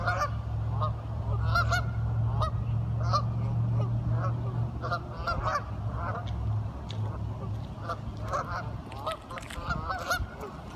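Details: Curious ducks keep up a rapid, irregular run of short nasal quacking calls over a prominent steady low-pitched hum.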